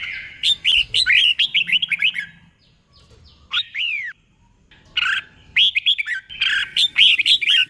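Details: Red-whiskered bulbul, a caged bird kept in Thailand, singing a tutor song used to train other caged birds: bursts of rich, fluting whistled phrases with rising and falling notes, doubled in pairs, separated by short pauses.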